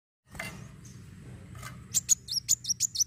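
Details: Sunbird (kolibri wulung) singing its fighting song, used to stimulate other sunbirds to sing: after soft rustling, a rapid series of very high, thin, sharp notes repeated about five times a second, with low background hum.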